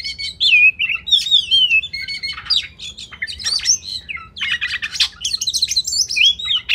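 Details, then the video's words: Oriental magpie-robin (kacer) masteran song for contest birds: wavering whistled phrases, scratchy squeaks and rattling trills delivered in quick, irregular bursts with barely any gaps. "Masteran Kacer Spesial untuk Burung Lomba"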